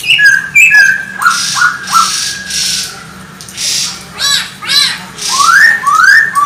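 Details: Chinese hwamei singing to goad other birds: a run of short downslurred whistles, several buzzy hissing bursts, then quick rising whistled notes in pairs, with a faint low hum behind.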